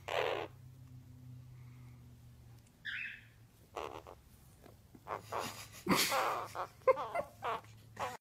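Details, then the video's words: A male Hahn's macaw (Red-shouldered macaw), exploring a "cave" he found, gives a brief nasal squawk, then quick, scratchy, speech-like mumbles and chatters, with soft rustling and shuffling between bursts. "Hahn's Macaw Talking"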